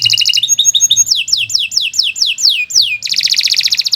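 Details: Canary delivering gacor-style song: rapid staccato notes, then a chain of loud sliding down-whistles, finishing with a sustained rolling buzzy trill.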